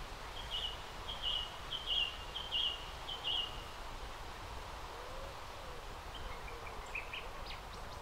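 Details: On a pond near the former Durham Light Infantry Museum, 29 June, a common moorhen with two juveniles: a run of five sharp, high piping notes about every 0.7 seconds, then quieter scattered ticks and faint lower calls.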